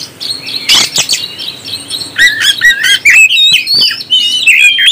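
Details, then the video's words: Oriental magpie-robin singing to excite other birds: after a few harsh clicks and a noisy burst, a fast series of whistled and twittering notes builds into rich varied phrases. "NAIKAN EMOSI BURUNG KACER ANDA"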